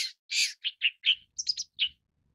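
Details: Long-tailed shrike giving one broad, harsh rasp, then a string of shorter, clipped notes that fade out.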